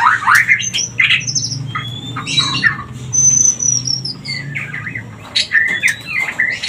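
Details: Shama lure for triggering breeding condition: loud rapid chattering and clicks, falling and rising whistled strands, varied warbles, over a faint low hum.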